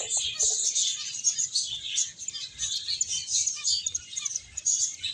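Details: Playing and eating finches produce a continuous high-pitched twitter, with many short overlapping chirps and no pauses.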